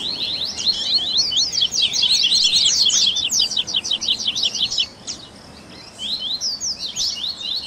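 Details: Coleiro warm-up recording ('baderninha') meant to push a captive Double-collared seedeater to sing: a long rapid trill of crisp, repeated chip notes, nearly three per second, then a short silence and scattered sharp chirps.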